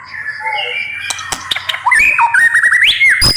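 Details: White-rumped shama singing fiercely, with soft drawn-out whistles building into a loud run of slurred, warbling notes and sharp clicks that climbs in pitch toward the end.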